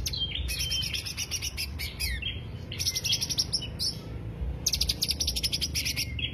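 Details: Greater green leafbird lure song with tumbling bursts of high, rapid chips and trills, interspersed with short swooping whistles, over a faint low drone.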